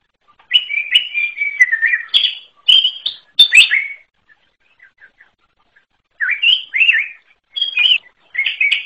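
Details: Wild greater green leafbird singing varied bursts of warbled, slurred whistles and sharp chips, with a pause of nearly two seconds broken by faint ticks before further rising and looping phrases.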